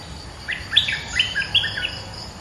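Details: Trapping-lure bulbul song: a cheerful, fast string of fluty notes rising and falling, about six or seven syllables over two seconds, with light insect noise in the background.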